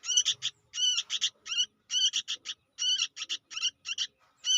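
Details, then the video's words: Juvenile sooty-headed bulbul, very vocal, giving rapid raspy notes in tight bursts of two to four, the bursts repeated about every half second to second with short silences between. "suara anak burung kutilang gacor"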